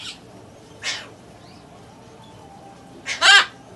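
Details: Hand-tame young Buffon's macaw in captivity giving three coarse, broadband squawks: a short one at the start, another near one second, then a louder, longer, rough double squawk at the end.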